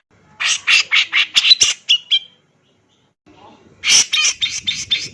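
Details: Singing male grey-cheeked bulbul delivers a fast series of harsh, scratchy notes ending in two short whistles, pauses briefly in near silence, then resumes with another loud chattering run of rasping notes.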